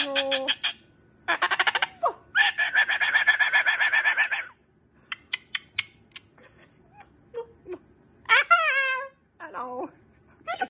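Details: Pet Moluccan cockatoo at home, hugged and kissed by its owner until it wants to be left alone; loud harsh harmonic calls and rapid buzzy bursts, then screechy descending squawks near the end, separated by short quiet gaps.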